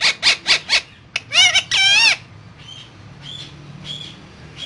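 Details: Parrot utters four quick raspy squawks, a short pause, then two drawn-out, wavering harmonic calls before softer, fainter chirps trail off against a low background hum.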